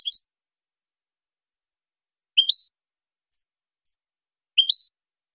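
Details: European goldfinch clean song for training juveniles: sparse rising upslurred chirps and single high notes, spaced one to two seconds apart, no other sounds.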